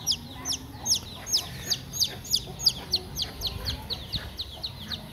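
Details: Chicken chick that lost its way and ran into a home, afternoon of 26 April 2021, peeping rapidly: fourteen or so shrill, downward-sliding notes in five seconds, steady and insistent, with faint low rumble behind.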